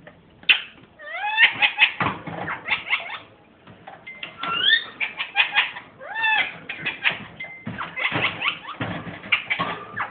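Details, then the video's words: Laughing pet ringneck parrot: staccato runs of rapid chattering clicks alternate with several curved whistled notes that rise then dip, the bursts coming in waves over ten seconds, with a person murmuring nearby. "ringneck parrot laughing crazy"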